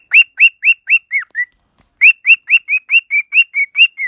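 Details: Loud, bright whistles from a pet cockatiel: a run of upward-bending notes that tails off into falling ones, a short pause, then another lively burst of rising whistles.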